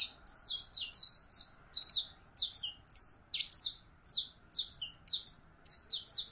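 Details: Female canary in heat calling for a male to mate: an insistent string of loud, high, buzzy double chirps, repeated about twice per second throughout.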